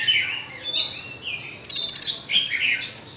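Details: Chinese hwamei, six months old, delivering a short burst of varied warbled phrases, a mix of slurred whistles and quick twittering notes rising and falling.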